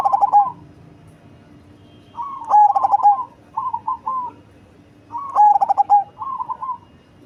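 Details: Zebra dove of the cemani type, big-bodied and deep-voiced, giving throbbing coo phrases each followed by a shorter trailing burst of soft notes, repeated about every two and a half seconds.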